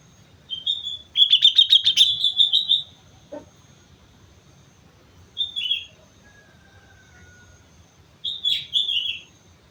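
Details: On Mount Slamet, a sooty-headed bulbul sings a long bubbly phrase of rapid, liquid notes that falls away, followed by two shorter chirpy phrases; a thin faint whistle from another bird in between.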